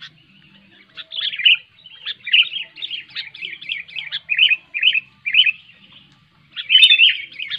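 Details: Loud sooty-headed bulbul song, played to coax silent bulbuls into singing: a run of rich, gurgling whistled phrases repeated roughly every half second, a short pause, then a final burst.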